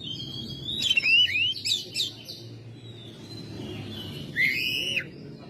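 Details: Home-kept Oriental magpie-robin singing in May: a burst of clear rising and falling whistles and quick chattering notes, a pause, then another bright slurred phrase, over low background hum.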